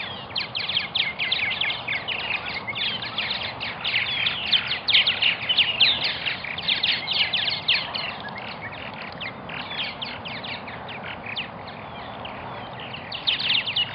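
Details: Purple martin colony in Melbourne, Florida: a dense chorus of many birds chattering at once, with rapid gurgling and chirping notes overlapping.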